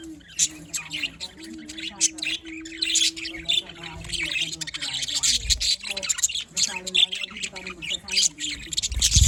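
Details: Several budgerigars chattering in the morning, making rapid squeaky chirps and scratchy warbles over a low droning background hum, growing louder toward the end.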